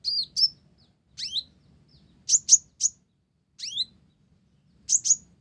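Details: Olive-backed sunbird in vigorous song with Java sparrow imitation: high downslurred notes and sharp paired chips, delivered in short clusters roughly every second with quiet gaps.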